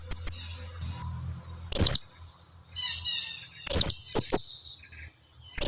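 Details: Blue-crowned hanging parrot calling as a lure for rarely calling birds to reply: scattered sharp, high, thin notes, some in quick clusters, over a low hum and a constant shrill whine.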